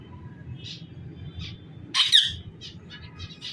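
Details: Pet rose-ringed parakeets let out of their cage on a rooftop give one loud, harsh, high squawk near the middle, between several shorter, softer screechy notes, over a steady low hum.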